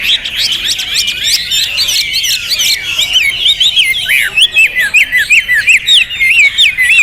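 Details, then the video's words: Hwamei song, loud and varied: a burst of high chattering gives way to a series of sharp, repeated zigzag whistles, several per second. "Hwamei Raja Tega Volume Dasyat Materi Mewah Jawara 3 Sesi"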